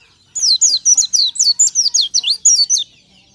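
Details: Oriental white-eye singing in the morning: a rapid run of about ten high, sharp, down-slurred whistled notes, each quick and bright, delivered in a steady chattering burst lasting under three seconds.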